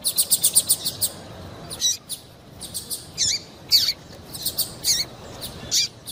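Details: Female double-collared seedeater, a call used to excite a male into singing, here a rapid series of high thin chips at the start, then scattered sharp descending high notes and short buzzy chirps, repeated irregularly over faint background hiss.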